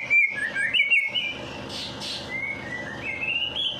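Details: Post night-bath bird singing used as a stimulus for quiet birds: long sweet whistled phrases wavering up and down, a brief hissy buzz in the middle, then smooth rising whistles, with soft background hum.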